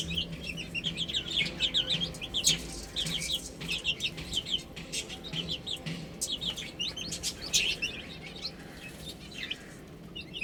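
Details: Baby chickens (chicks) eating and drinking, giving a steady stream of short, high, arched peeps that overlap from several birds, with soft scratchy background noise throughout.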